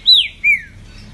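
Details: Green-winged saltator, a pet trinca-ferro performing the quick ligeirinho song in Brazil, 2020 tournament season: two bright whistled notes, the first arching up then falling, the second a long descending slur, then quiet room noise.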